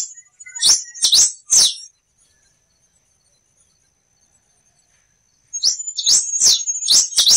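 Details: Chestnut-capped blackbird in nature: three high swooping notes, about four seconds of near silence with a faint steady high tone, then another quick run of sharp swooping notes.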